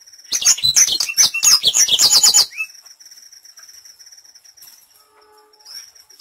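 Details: Black-throated canary song used as a lure to get birds singing quickly: a fast burst of high, sharp twittering and trilled notes for about two and a half seconds, then a thin steady high whine with faint ticks.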